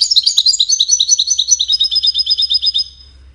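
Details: Goldfinch singing in courtship and communication: a rapid cascade of bright, twittering high notes, tinkling phrases repeated quickly for about three seconds before fading out.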